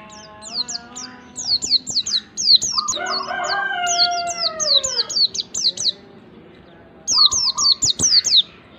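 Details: White-eye song used as a lure to get untrained white-eyes singing quickly: rapid high, sharp downslurred chirps in fast runs, broken midway by a lower, drawn-out harmonic tone from another bird, then more quick chirp bursts.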